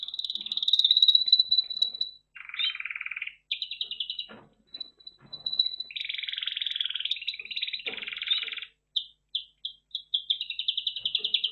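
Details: Red factor canary singing varied phrases: high sharp trills, a lower buzzy roll, then quick clipped notes and a long rattling tour before rapid separate chips near the end.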